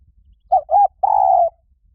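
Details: Decoy cooing of a spotted dove for luring wild birds: a single phrase with two brief coos and then one long, slightly descending coo, clean and close.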